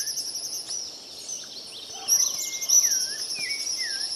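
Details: Rufous-bellied thrush in full voice: after a quiet start, clear whistled phrases of rising and falling slurred notes, over a steady high insect-like drone throughout.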